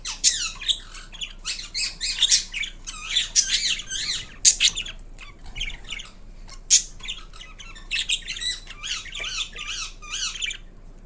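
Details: Indian ringneck parrot kept as a pet, calling loudly: rough, grating screeches and chattering squawks in irregular bursts, several sharp shrieks standing out, with a steady low hum underneath.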